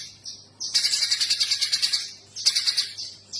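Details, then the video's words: Pijantung gunung, a spiderhunter, in lively full song: a rapid series of sharp, high chipping notes, about eight per second, in a burst lasting over a second, then a shorter second burst, with brief thin notes between. "Burung Pijantung GUNUNG GACOR"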